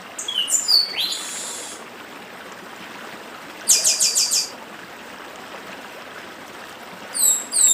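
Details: Papa-arroz, the chestnut-capped blackbird, singing the 'dedim' style beside a stream: descending sliding whistles run into a buzzy rasp, later a short burst of rapid pulsed high notes, with unbroken flowing-water noise.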